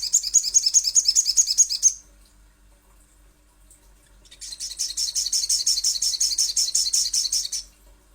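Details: Little spiderhunter used as a lure to prompt calling: two fast trains of thin, high, evenly pulsed chips, the first about two seconds long, the second longer after a brief silence.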